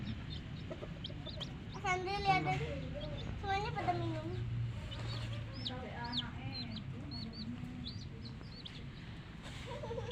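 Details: Domestic hen chicks peeping: scattered shrill, bent chirps, several in quick series, over a low background rumble with occasional deeper throaty calls.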